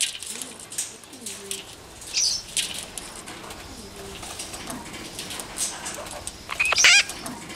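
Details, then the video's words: A captive-bred Hahn's (Red-shouldered) Macaw at a breeding centre gives a shorter squawk, then a harsh, raspy screech near the end, over rustling, flapping noises and faint low coos. "Hahn's (Red-shouldered) Macaw (Ara nobilis)"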